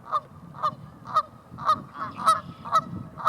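Canada geese honk in a steady series, about two nasal honks a second, with a low background rumble.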